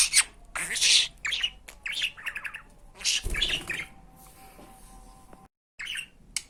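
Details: Pet budgerigar whose talking recording is meant for teaching Turkish words like "aşkım", "fıstık" and "iyi günler"; a dense burst of warbling, raspy chatter and chirps comes first, then a quieter stretch with a faint steady hum.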